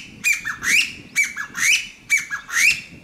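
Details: On 14 April 2022, a Chinese bamboo partridge calls loudly to threaten an intruder: a harsh, shrill three-part phrase with a rising end, repeated about once a second.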